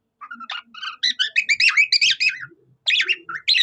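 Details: Cockatiel-style singing from a pet budgerigar: a quick tumbling sequence of clear whistled chirps, then a short pause and more bright twittering notes.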